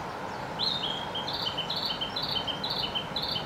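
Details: A narcissus flycatcher sings from a tree in Gifu Prefecture, Japan, in May 2024: a rapid run of clear, high whistled notes alternating two pitches about five times a second over a steady background hiss.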